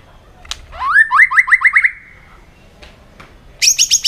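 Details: Fired-up white-rumped shama in competitive song: a rising note leads into a rapid series of six repeated whistled notes, then a pause and a burst of very high, quick notes.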